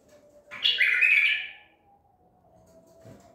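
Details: A white-eared bulbul, Baghdadi type, caught at Medical City and recorded on 14 April 2021, delivers a single loud, bright, slurred warble of about one second, followed by quiet with a steady low hum.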